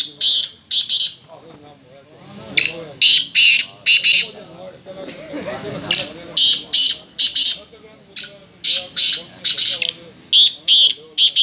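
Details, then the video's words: Black francolin calling, the call known as chakri: loud, harsh, rasping bursts in quick rhythmic runs, paired and repeated, with soft low murmuring beneath and short gaps between phrases. "Kala tetar chakri | کالے تیتر کی چکری"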